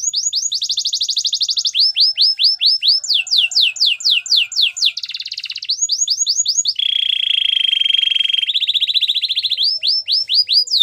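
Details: Gloster canary in full song, chaining rapid downslurred whistles, rolling trills and a steady buzzy mid-pitched roll, with shifting tempo and pitch throughout.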